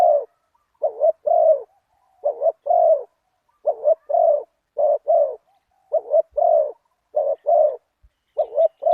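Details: Spotted dove in a Thai cooing contest, a deep-voiced bird with a single 'kuk' style, scored at point 37; loud mellow coo phrases in short clusters, repeated about every second with brief silent gaps.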